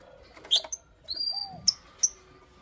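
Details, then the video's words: Creamino and lutino opaline lovebirds in the morning giving short, shrill, squeaky chirps, with a thin high whistle between them and a quiet background. "Lovebird Chirping Sounds"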